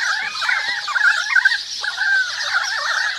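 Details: Short burst of currawongs calling in a forest, rich overlapping gurgling notes with a few clear whistled glides, set against a dense high twittering of sparrows and other birds.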